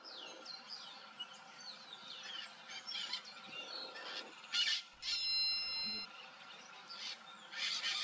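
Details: Wild Hyacinth macaws playing around in Brazil give loud, harsh, raspy squawks and a drawn-out nasal honk in several bursts, over thin chirps of small birds and a steady insect hum.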